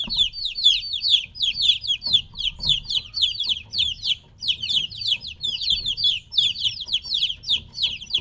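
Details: A group of chicks about three weeks old, kept apart from their mother, chirp nonstop: shrill, falling peeps overlap in quick runs, several birds calling at once over a soft low hum.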